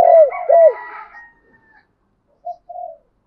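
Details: Spotted dove calling to provoke a wild rival to fight: two loud arched hoots overlaid by a harsher, higher drawn-out sound, then silence and two soft low coos.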